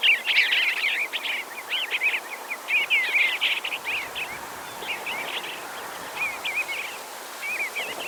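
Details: Bluebird song outdoors, a continuous stream of soft warbling, looping notes in quick succession, louder at first and then thinning into scattered short phrases against a constant hiss of environmental noise.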